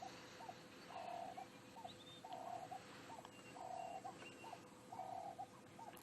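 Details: On a safari drive at sunrise on 25 October 2016, on a warm morning after overnight rain, a distant Turtle Dove gives low, purring, second-long coos repeated every second or so, with faint birds and a gentle breeze.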